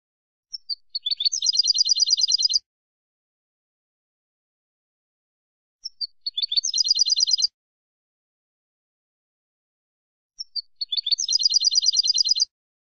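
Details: European goldfinch field song for educating captive birds: a high twittering phrase of a few thin notes running into a fast, liquid, metallic trill, repeated three times about every four and a half seconds.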